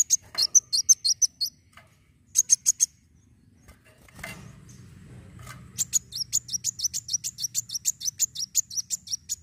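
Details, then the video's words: High, rapid sunbird chirping in fighter style to stimulate other birds: a burst of notes, a short trio, a pause with faint rustling, then a long quick series of shrill chirps. "Kolibri wulung gacor narung fighter!"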